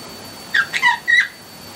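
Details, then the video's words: Pet budgies indoors making a quick run of four raspy, squawky chirps with a slightly lower, rough tone, heard against a quiet room. "CUTE PET BUDGIES CHIRPING"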